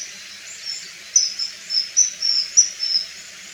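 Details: Common kingfisher in Japan in spring to early summer, giving shrill, thin, high whistles in quick, uneven bursts over a steady background hiss.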